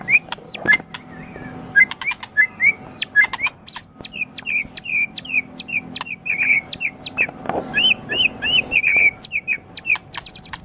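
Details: White-rumped shama of the Medan type, a champion-quality bird, singing a varied run of short whistled and slurred notes with sharp clicks, used to stimulate other birds to sing.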